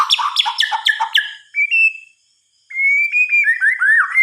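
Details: White-rumped shama singing at night, with a series of rapid falling notes, a brief level whistle, a pause, then a long clear whistle sliding into slurred downward phrases.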